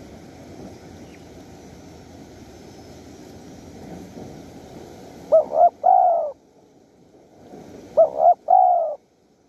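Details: Wild spotted dove at a Bang Bai Mai luring spot in Surat Thani, Thailand. After a stretch of noisy rushing sound, two phrases come about 2.5 seconds apart, each made of two short coos and a long mellow coo.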